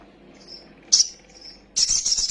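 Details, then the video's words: Little spiderhunter lure recording meant to quickly excite young birds: two faint thin high notes and a sharp chip, then a loud, rapid, high buzzy trill starting near the end. "PANCINGAN BURUNG KOLIBRI SOGOK OTONG BAHAN CEPAT EMOSI BUNYI FULL ISIAN SOGON NGELEPER"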